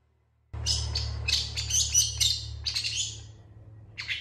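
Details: Long-tailed shrike in excited full song, responding to other shrikes: dense harsh chattering with scratchy notes and a few squeaky whistles, fading to quieter notes, then one last harsh burst. A low hum sounds throughout.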